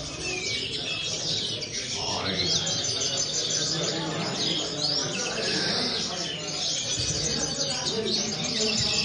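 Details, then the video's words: Several overlapping high, rapid twitters and chirps of common linnet song, including a few rising and falling slurred notes, over steady low background noise. "corona pardillos"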